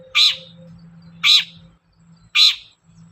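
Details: Long-tailed shrike, a lure to make the bird sing. Three loud, scratchy notes spaced just over a second apart, a steady low drone running underneath.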